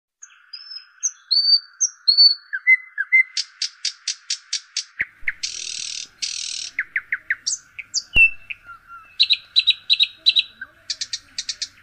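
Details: Birds chirping in the Jambari sal grove at the north edge of Cumilla Sadar, Bangladesh. High varied whistles, quick downward-sweeping chip series and short buzzy bursts follow one another over a steady thin background tone.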